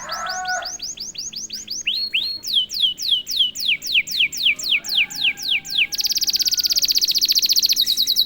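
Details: Prompted canary (kenari) song: a short low warble, then a long series of rapid downward-sweeping whistled notes in steady rhythm, closing with a dense high rattling trill.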